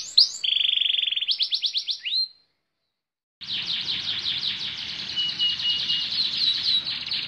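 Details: Canary starting with a flat, steady trill and rising notes before a pause; after the break a quieter, dense warbling trill continues over a hissing, noisy background.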